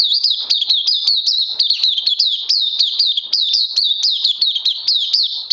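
An oriental white-eye sings a fast, continuous run of high, thin, wavering twitters, about three notes a second without a break, with no other sounds.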